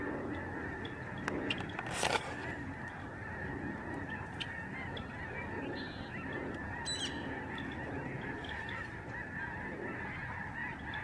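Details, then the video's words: Huge flock of Lesser Snow Geese in the sky over the George C. Reifel Migratory Bird Sanctuary, Canada, in November 2011. A dense, unbroken chorus of nasal honks blends into a steady roar, with a few sharp clicks near the two-second mark. "Spectacular flock of Snow geese in the sky"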